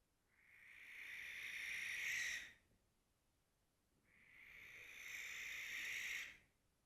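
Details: A male barn owl defending its territory gives two long, harsh, hissing screeches, each about two seconds and swelling in loudness, separated by a short pause.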